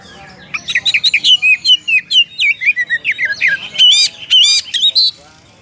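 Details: Oriental magpie-robin calling a rival, delivering a rapid run of loud varied whistled and chattering notes, many short sweeping phrases packed closely together, ending with a few harsher rasping bursts.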